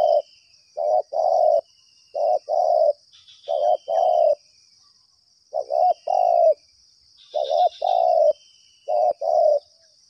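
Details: Spotted dove calling nonstop in response to a trapping lure: five repeated coo phrases, each a short note and a longer paired coo, spaced roughly every two seconds, with occasional faint high insect buzzing.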